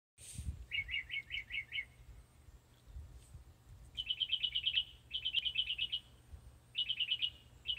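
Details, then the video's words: Northern mockingbird in South Carolina: rapid bursts of five or six clipped, chirping notes, each burst repeated several times, then the pitch jumps higher for new runs of fast, bright repeated notes, with a quiet background. "South Carolina Mockingbird Calls"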